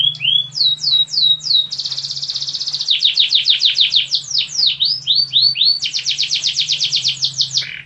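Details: Canary singing loud, continuous song: rapid rolling trills alternate with repeated upward-swept and downward-swept whistled notes, with dense buzzy passages and almost no pauses. A low steady hum sits underneath throughout.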